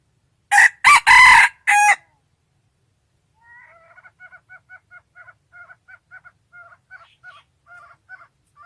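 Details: Wild rooster crowing: four loud, harsh harmonic bursts packed into under two seconds, then a long run of soft, quick clucking notes repeated about three times a second in an otherwise quiet setting.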